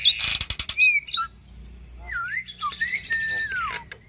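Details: Caged hybrid of Nias hill myna and Asian pied starling, its tutor song for other cage birds: a clicking chatter, a quiet gap, then several fluid looping whistles and one long falling whistle.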